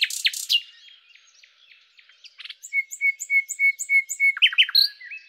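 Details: Common nightingale, Luscinia megarhynchos, sings harsh opening notes, a quiet pause, then a measured run of clear, even whistled notes, about six in steady rhythm, ending with downslurred chirps.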